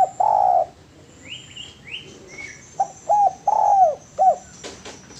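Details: Spotted dove training master: long low coo, then high chirping notes from another bird, then a cooing phrase of short, long and short notes, ending with a brief rustle.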